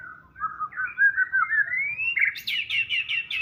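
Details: Caged white-rumped shama in full song: a long, smoothly rising whistled phrase that climbs steadily, then breaks into a series of loud, rapid, repeated sharp notes.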